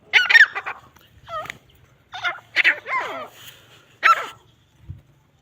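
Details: Grey francolins fighting: scattered harsh chattering bursts and squealing notes with downward-curving harmonics, separated by short quiet gaps.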